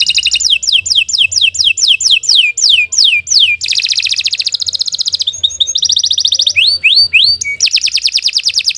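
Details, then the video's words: Canary song, long and varied: a run of about ten falling whistles, then dense buzzy trills, a quick chattering phrase, rising upslurs and a final rapid trill, with a faint low hum in the background. "Kicau Burung Kenari II GACOR PANJANG Cocok untuk Masteran"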